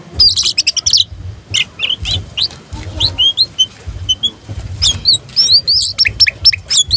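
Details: Tame oriental magpie-robin, singing actively with its tail spread, song used to provoke rival birds: rapid bursts of high whistled and chattering notes, sweeping slurred whistles and sharp clicks, with a steady low hum beneath.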